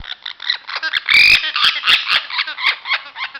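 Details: Amazon parrot vocalizing in spring, a behaviour said to happen only in that season: dense run of harsh, buzzy chattering notes with rapid squawks and rasping bursts packed closely together.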